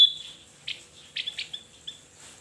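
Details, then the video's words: Javan white-eye for bird training: a thin high whistle at first, then several short, buzzy, high chips spaced irregularly over two seconds, in a quiet setting. "Suara Burung Cucak jempol gacor//Opior Jawa masteran"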